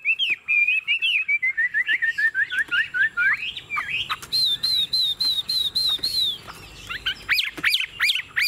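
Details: Caged Chinese hwamei sings a chain of short descending whistles, a run of steady high repeated notes, then loud swooping upslurs near the end.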